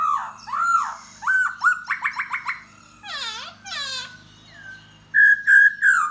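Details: 'Da bò' laughingthrush singing and dancing to lure a female. Rich, looping whistles and a quick series of rising notes give way to two harsh, broad squawks, then three loud, clear whistles about 0.4 seconds apart.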